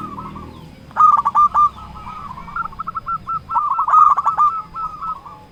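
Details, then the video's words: Local Indonesian zebra dove calling rivals: a long, continuous stuttering coo phrase of rapid repeated notes lasting several seconds, steady in pitch, with faint low background noise. "Perkutut lokal gacor Ahlinya memanggil lawan bikin burung perkutut gacor nyaut"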